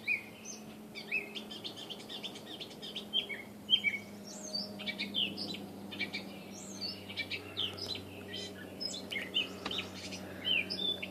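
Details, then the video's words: A Gray Catbird hiding in trees in a backyard in Saskatoon, said to be rarely seen this far north, gives a jumbled run of short, squeaky chirping notes jumping between high and mid pitches over a faint low hum. "Audio of a "cat bird""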